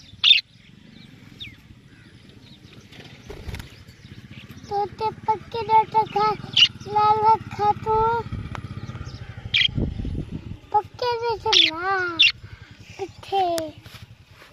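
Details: Pet talking parrot mimicking speech: several phrases of nasal, high-pitched, word-like syllables, some wavering and rising, interspersed with piercing short squeaks over a low background hum.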